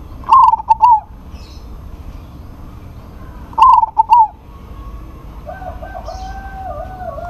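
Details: Zebra dove, local bird, calling a rival that answers: two rhythmic phrases of mellow, bubbling coos about three seconds apart, then a steady high double whistle tone running for a couple of seconds before another coo starts.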